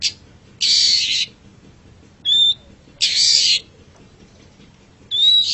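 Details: Long-tailed shrike master song for training pet songbirds to sing: broad, harsh rasping bursts alternate with short clear whistled notes, about four phrases with pauses between.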